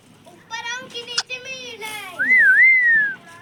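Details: Parrot said to speak the words mummy papa: a run of voiced, speech-like syllables with rising and falling pitch, followed by a loud wavering whistle that rises and dips twice before sliding down.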